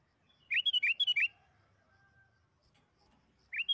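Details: Sooty-headed bulbul lure song: a fast burst of six fluty, rising-falling whistles, a quiet gap with a faint thin tone, then the start of another whistled phrase.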